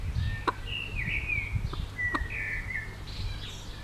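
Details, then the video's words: Chicks of a bobtail-coloured Pekin bantam mother hen give drawn-out whistled peeps that slide downward, heard in two clear bursts with a couple of soft clucks and low background rumble. "Zwerg-Cochin: Glucke mit Küken"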